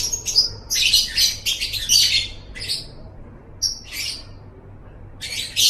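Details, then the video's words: Lovebird chatter meant for training pet birds: rapid, rasping, high twittering phrases packed together at first, then a few scattered squeaky notes after a quiet gap, and a last buzzy burst. "Masteran Suara Burung Love Bird"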